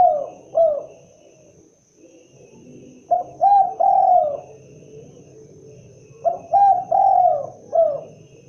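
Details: Cooing of a spotted dove, the full phrase of short, double, long falling and short coos repeated twice at an even pace, with faint low rumbling in the background.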